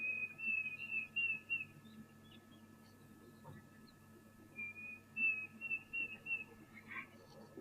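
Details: Diederik cuckoo at a waterhole, 20 December 2023, gives two bursts of high, clear, whistled notes in quick series, a plaintive repeated 'dee-dee-deederik', with a quiet gap between them.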